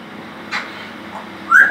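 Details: Boi, an Illiger's macaw at a South African bird rescue sanctuary, shouts at the TV indoors: a short squawk, then a louder, whistled call that slurs downward, over a faint indoor hum.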